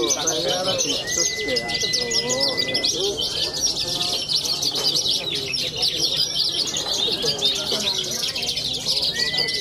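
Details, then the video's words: Dense, high chattering song of a young contest bushlark from Cilacap, Indonesia, continuous and rapid, with a long level whistled tone and lower murmuring sounds in the background. "BRANJANGAN MUDA MENTAL JUARA"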